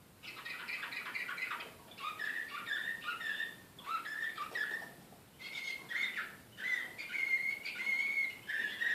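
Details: Excited canary, Serbian slavujar style, recorded in Belgrade, 2014. Phrases run in blocks a second or so long: warbled and rattling notes, then clearer, sustained whistled tones, separated by short pauses.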